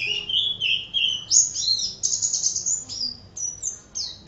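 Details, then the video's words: Energetic Oriental white-eye song meant for tutoring other birds, a fast stream of thin, high, slurred whistles and quick descending chirps strung together without pause, over a soft background hum. "Suara Kicau Burung Pleci Gacor"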